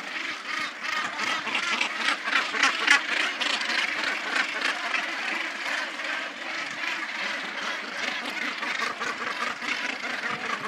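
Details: Northern gannets displaying and mating in a dense colony on Bonaventure Island, Quebec: a chorus of harsh, grating calls overlapping constantly, several each second, with no pause.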